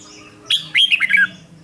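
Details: Morning song of a Red-whiskered bulbul being trained toward a fierce fighting song: a sharp opening note followed by a fast, loud run of chirped notes descending in pitch.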